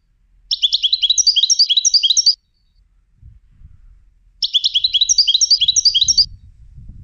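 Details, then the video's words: European goldfinch trained for song competitions: two rapid, high tinkling twittering bursts of about two seconds each, separated by a pause of roughly two seconds, with faint low rumbling noise underneath. "Training Goldfinches for Song Competitions"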